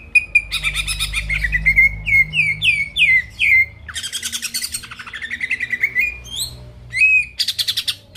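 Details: Energetic greater green leafbird song meant to stir rivals into singing, opening with a steady whistle, then a run of repeated downslurred whistles, scratchy rattling chatter and quick mimicking phrases, with a soft low hum in the background.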